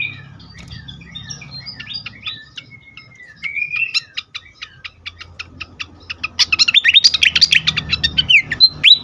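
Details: Fantail in an agitated state, used as a lure to stimulate birds: soft scattered ticks and a thin rising whistle, building into a fast, loud run of high chattering chirps near the end, with low background hum.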